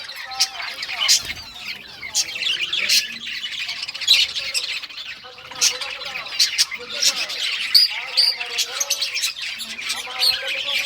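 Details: Rare-coloured budgerigars chirping as they play with toys, recorded June 18, 2023; a lively stream of chattering warbles, squeaky notes and clicking sounds from several birds at once.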